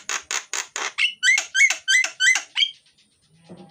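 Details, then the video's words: Loud, varied myna (jalak) song for luring lazy mynas to sing: four rough rasping notes, then an evenly repeated pattern of harsh bursts paired with clear rising whistles, closing with a soft thump. "suara jalak gacor,isian dan keras, cocok buat pancingan jalak yang malas bunyi."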